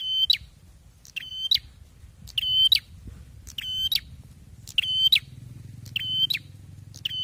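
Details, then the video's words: Bar-winged prinia singing loudly and actively: short, buzzy, ladder-like notes with a strong steady tone, given in bursts about every 1.2 seconds, with faint low rumble between phrases. "LANTANG BANGET KICAUANNYA || PRENJAK GACOR"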